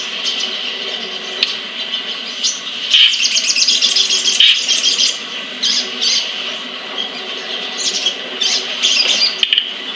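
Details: A captive sunbird (sogon/sriganti) from Pemalang, Central Java, Indonesia, gives bursts of thin, high, twittering chirps, irregular and closely spaced, over a steady high background hiss.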